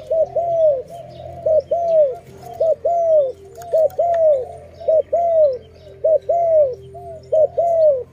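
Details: Dove heard at a forest trap site, repeating loud curved coos in pairs about every second and a half, steady and clear over a soft low hum.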